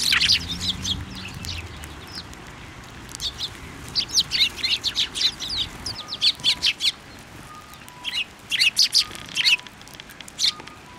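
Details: Sparrows coming together on a plum tree at a Tenmangu shrine on 10 February 2024, chirping in lively irregular runs, with a soft low hum early and a faint repeated tone later.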